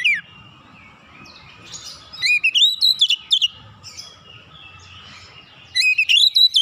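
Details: Oriental magpie-robin, fired up and singing fully with beak open: a thin whistle, then a run of sharp up-and-down whistled notes, a quiet pause with low hum, and another loud burst at the end.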